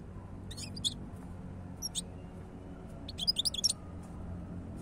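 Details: European goldfinch giving scattered high twittering notes, then a quick run of bright, liquid chirps near the end, over a steady low background hum.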